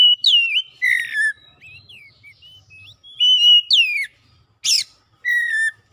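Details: Oriental magpie-robin song meant to prompt a silent bird: varied clear whistles, some level and some sweeping down, with twisting mid-phrase notes and a single harsh broadband rasp near the end.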